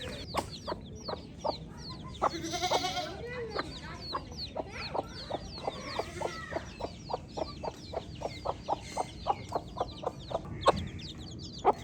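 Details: Long run of baby chick chirping: steady high, thin, falling peeps from many chicks. A regular train of short, lower clucks comes several times a second, with one brief harsher burst early on.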